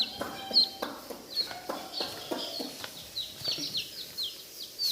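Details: Coloured baby chicks in a village, giving high, thin peeps that fall in pitch, repeated irregularly, with clicks and knocks mixed in.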